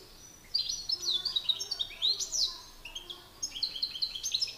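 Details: Male European goldfinches in a singing contest, an excited bird against a master singer: bright twittering notes, rapid liquid trills and sweeping downslurred whistles following one another quickly.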